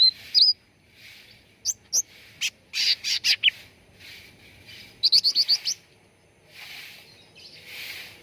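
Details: Training lure recording of cucak ranting bulbul song. A whistled hook, then scattered chirps and a dense burst of quick notes, then a rapid trill-like series. Soft hissing noise fills the gaps.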